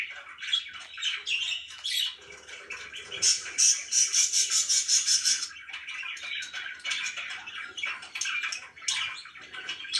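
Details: Pet budgerigars indoors produce mixed chatter, including a fast, evenly pulsed run of clicking, ticking notes in the middle, surrounded by looser chirps and warbling.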